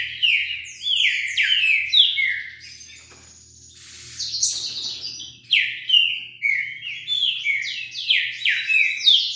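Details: A wild Green-winged saltator passing by, singing fast at about 40 songs per minute: loud, rich whistled phrases of slurred, falling notes in rapid succession, with a brief lull midway; a faint low hum underneath.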